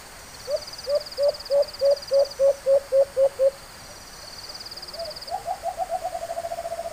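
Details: White-eared brown dove (Phapitreron leucotis) gives about ten hollow, evenly spaced hoots, roughly three a second, then a quicker, softer run of notes, over high insect buzzing; recorded on a hunt using a call bird, and a male was caught.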